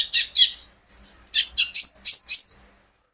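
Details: High chirps from an olive-backed sunbird kept to encourage other birds to sing, building into a run of thin, sharp notes about four per second that end on a drawn-out whistle.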